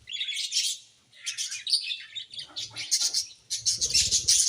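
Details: Budgerigar colony chirping happily, with quick high warbles and twittering in several bursts separated by short gaps. A low rustling or thumping comes in near the end.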